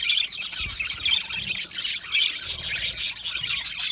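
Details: Colony budgerigars, happy and comfortable, chirping; bright high chirps and short whistles over constant chatter, several birds overlapping, with sharp clicking bursts in the second half.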